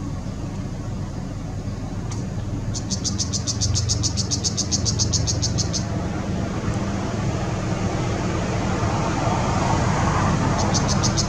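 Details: A Brown Shrike at a riverside restaurant on the Mekong River, Chiang Rai, Thailand, 5 February 2017, gives a fast, dry chattering run of about fifteen clicking notes, then starts another burst, over a steady low rumble of traffic.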